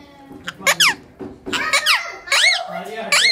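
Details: A talkative parrot vocalising indoors in a small room: a mix of speech-like mumbling and sharp rising and falling squeaky whistles, several short phrases with brief gaps.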